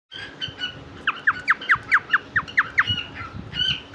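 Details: A pet cockatiel, filmed while being given soft food, gives a quick run of bright, down-slurred chirps between short, level whistled notes.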